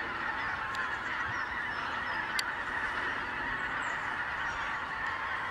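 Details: Greater white-fronted geese calling in a dense, steady chorus of overlapping honking calls that blend into a continuous clamour, with a few sharp clicks now and then.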